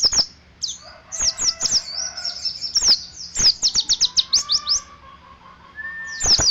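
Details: Mountain white-eye of the dakun type from Ciremai, singing in ngeriwik style: rapid bursts of high, thin chirps and twittering notes with short pauses. Sharp clicks and a faint steady tone are also heard.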